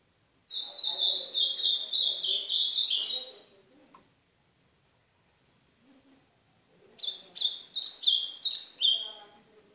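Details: Ultramarine grosbeak singing the Northeastern Brazil (azulão do nordeste) song style, played as training to warm up a young caged bird: two rapid, high warbled phrases of slurred notes, each about three seconds, separated by a quiet pause.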